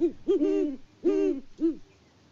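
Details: Great horned owls, a mated pair on a Kansas farm near Peabody, hooting back and forth in February on a live cam: deep, resonant hoots in a quick uneven run of four, the second drawn out and wavering.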